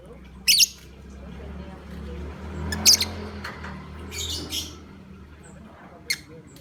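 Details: Lovebird call used as a lure to set other lovebirds calling: piercing, very high squeaky bursts, one early, one near the middle and a brief one at the end, over a low hum and faint voices.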